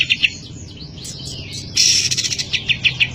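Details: Cotton bird in lively song: a pair of sharp high chirps, a stretch of softer sweeping notes, then a loud shrill burst followed by a rapid series of bright chirps.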